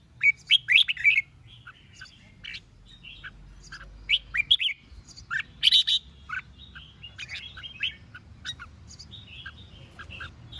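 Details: Red-whiskered bulbul dueling song to stir up rival newly caught birds: rapid, irregular chirps and warbled phrases, dense at the opening and again around 4 to 6 seconds, softer twitters later, over a low hum.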